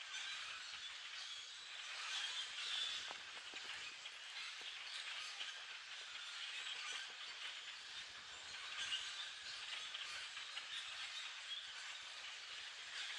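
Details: A flock of hundreds of common grackles, foraging at treetop level and then descending to pools of water, makes a dense, unbroken din of squeaky, creaking and rasping chatter, with no single voice standing out.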